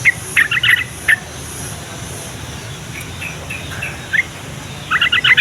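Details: Yellow-vented bulbul song to stir quiet bulbuls into calling. Rapid bubbly chirped phrases open and close the recording, separated by single sharp notes and a quiet stretch of hiss.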